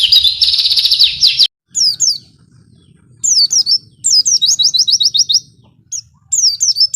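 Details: Oriental white-eye singing isian filler song: an intense buzzy chatter opens, then after a short gap come bursts of bright downslurred whistles and a quick run of even chips, separated by brief silences.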